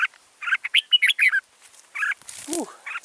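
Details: Red-whiskered bulbul used as a decoy to lure wild birds into a trap at Kim Bôi on 6 April 2017: bright, fast warbled phrases of short slurred notes in quick bursts, with brief pauses and a lower swooping note near the end.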